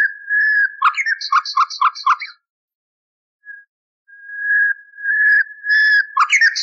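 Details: An old, cleaned recording of common nightingale, used as a model for canaries: a level whistle, then a jerky burst of clipped, stuttering notes, silence, and a slowly swelling whistled phrase that ends in sharp chips.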